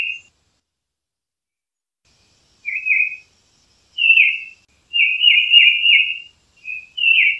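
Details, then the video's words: Tufted titmouse giving clear, slightly downslurred whistled notes, first spaced out, then strung together into a longer rolling run of several linked whistles, with quiet gaps between. "Tufted Titmouse Calling Sound"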